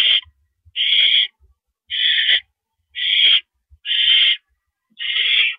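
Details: Owl at night on April 5, 2012, 10:30 PM, as a mouse is delivered to the nest: harsh, hissing screeches, each about half a second long, repeated roughly once per second, six bursts in a row.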